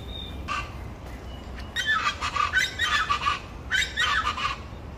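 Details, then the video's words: After a lone harsh note, chachalacas launch into a loud, grating, rhythmic chorus of rapidly repeated scratchy syllables, pausing briefly before a final burst. "Se me adelantan las chachalacas"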